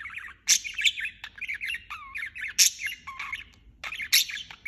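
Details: Budgerigar chirping non-stop: fast jumbled chirps and squeaks with three piercing squawks spaced through the stretch and a dipping whistled slur.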